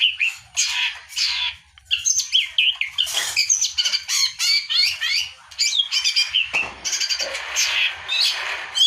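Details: Long-tailed shrike (pentet) in full song, a hurried jumble of harsh chatter, sharp chips and mimicked-sounding twisting whistles, nearly unbroken, played to set other birds singing.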